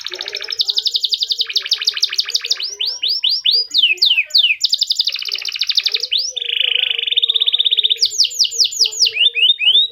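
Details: F1 canary singing a unique-style song meant to stimulate other canaries to sing: loud, fast rolling trills and rapid repeated high notes, interspersed with swooping slurred whistles and a sustained lower buzzy roll, continuous throughout.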